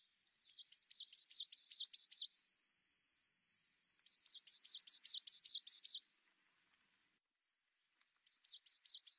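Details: A tit singing clear, high repeated two-note phrases, a sharp upper note dropping into a lower one, in bursts of about two seconds separated by pauses, with a third burst starting near the end; no other sounds.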